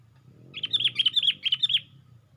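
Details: Sooty-headed bulbul perched on a branch raising its wings, used as luring sound: a quick burst of about six bright, bubbly, slurred chirps within one second over a quiet low hum.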